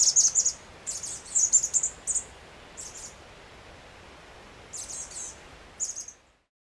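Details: Chestnut-backed chickadee calls in Washington in summer, as adults feed their young: quick runs of high, sibilant chip notes in rapid groups, broken by pauses, then isolated single notes, over a soft background hiss.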